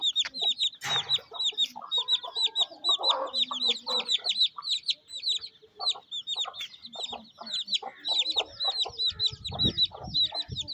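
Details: On a rainy village day in Pakistan, a mother hen feeds her chicks. The chicks keep up shrill, downslurred peeping while the hen gives soft, rapid clucks, about two per second.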